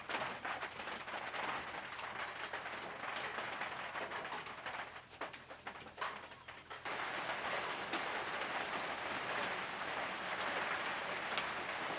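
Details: Steady broadband hiss like rain or wind, with no clear animal calls.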